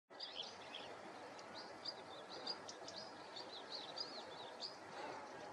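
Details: A Whinchat (Saxicola rubetra) gives thin, scratchy high chirps in short irregular bursts over a steady rush of background noise.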